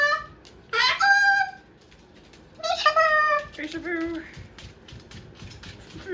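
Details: Pet Moluccan cockatoo indoors, chewing and playing with a new box, gives drawn-out, tonal, mewing calls with rich overtones in two bursts, followed by a wavering lower note, while a woman talks to it softly.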